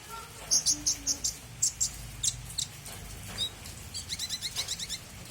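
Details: Small bird singing energetically in a series of sharp, high chirps. Notes come in quick bursts, ending in a rapid run of short, high-pitched notes, with faint low background rumble.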